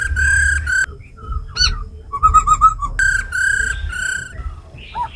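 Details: Laughingthrush, tamed and caged, singing forest-voice song with female rattle calls, played to stimulate birds: long full whistles separated by short rapid stuttered notes and a brief quick trill, with low background hum.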